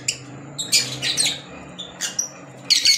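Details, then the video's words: Pet green Fischer's lovebirds making short, scratchy squeaks and squawks in quick separate bursts, about five in three seconds, against a low hum and a faint constant high-pitched tone indoors. "Fisher Love Birds Sound"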